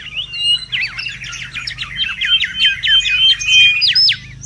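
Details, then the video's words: Mangrove whistler singing energetically in the wild, a dense fast string of short slurred whistles and chattering notes, about three per second, with a few longer clear whistles mixed in; soft low background hum. "SUARA PIKAT DAN MASTERAN BURUNG KANCILAN BAKAU RIBUT DI ALAM LIAR"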